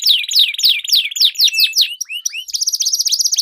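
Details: Canary song as a lure for competition training, two birds dueling: descending whistled sweeps over a steady trill, then rising slurs and a fast even trill of rapid repeated notes.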